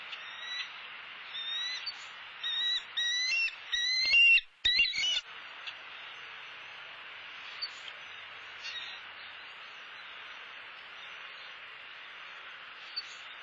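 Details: Bald eagles at their Southwest Florida nest, where the male delivered a soft-shelled turtle and brought grasses and sticks: a burst of short, sharp, clipped chittering notes in quick succession, then only faint hiss and a few soft ticks.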